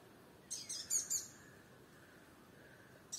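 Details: Sunbird calling from a firebush in Kerala: a quick burst of four or five high, sharp chirps, then a single brief chirp near the end over a steady low hum.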